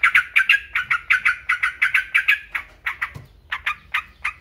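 Yellow-vented Bulbul gives a fast run of bubbly, chortling notes, about three a second, mellow and mid-pitched, slowing slightly toward the end.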